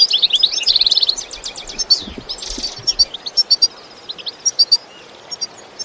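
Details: European goldfinch giving an excited bitbita song recorded in nature without effects: a rapid rattling trill and buzzy twitter, a few low knocks, then evenly spaced clear high chirps with pauses.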